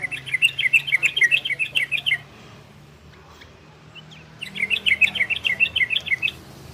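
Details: Ropel and garudo style song of an orange-spotted bulbul, meant to bring listening birds into breeding condition: two bursts of quick, bubbling, high chirps, each about two seconds long, separated by a two-second quiet gap with low hum.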